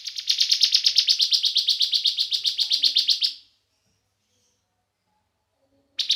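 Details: Bar-winged prinia lure song intended to make other prinias sing. A rapid, rhythmic string of harsh chirps runs for over three seconds, then silence, then the chirping starts up again at the very end.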